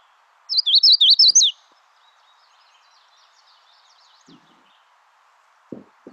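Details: Magnolia Warbler song played as a quiz item, likened to a faster, slightly broken-up, higher-pitched Chestnut-sided Warbler song: a quick string of about six bright, looping whistled notes in one second, then a faint steady hum and soft clicks.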